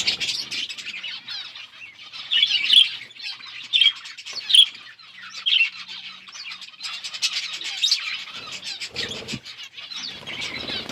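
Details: Budgies chattering during a meal: a continuous scratchy warble broken by louder sharp squawk-like chirps every few seconds, from more than one bird.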